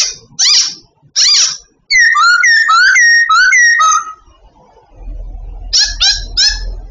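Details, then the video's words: A captive babbler in training, singing as it does every day: loud, clear whistles of quick downslurred notes, then a run of looping rising-and-falling phrases, followed by a low background rumble. "Babbler singing everyday"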